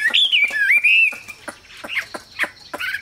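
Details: Chinese hwamei singing in captivity, one long, loud, wavering whistle sliding up and down, followed by quieter, scattered short notes and brief sharp chips.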